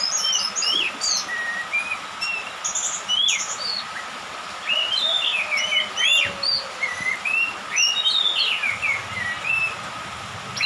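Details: Orange-headed thrush, a young bird just past its spotted juvenile plumage, singing in dew and rain: varied clear whistled phrases, rising and falling slurs and quick high chirps in rapid succession over a steady faint mid-pitched hum.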